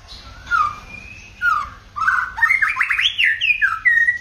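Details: White-rumped shama singing a varied, many-voiced song: short whistled phrases, then a rapid run of rising and falling warbled notes climbing higher, ending in clear sustained whistles, with brief pauses between bursts.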